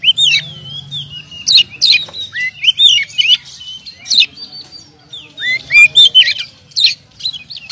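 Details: Oriental magpie-robin, a contest champion with past wins, sings crisp whistled notes with abrupt pitch jumps and sharp clicks, in clustered phrases with short gaps, over a faint low hum.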